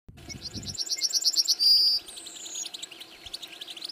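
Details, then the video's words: Goldfinch singing as part of courtship and communication: rapid high twittering with a run of evenly repeated sharp notes, then a brief bright whistle and thinner trailing chirps; faint low rumble at the very start. "Witness the Majestic Goldfinch Singing"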